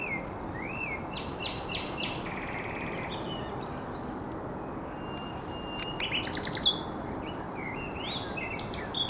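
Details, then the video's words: Common nightingale singing on a headland by the Żerań Canal, 1 May 2021: varied phrases of short repeated notes, whistles and a burst of rapid dry clicking trills, set against a constant low rumbling background noise. "Śpiew słowika rdzawego na cypelku na Kanale Żerańskim"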